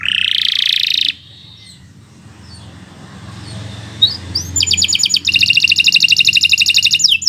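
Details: Canary song recorded to tutor young or non-singing birds: a buzzy harsh burst, a quiet pause with soft background hiss, then a brisk, regular, high rattling trill to the end.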